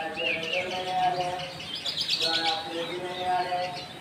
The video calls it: singing bird